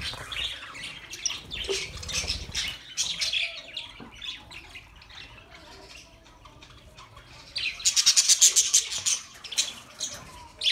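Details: Pet budgerigars chattering in bursts of rapid, scratchy high chirps and warbles, busiest at the start and again in a loud cluster near the end, with quieter twittering between.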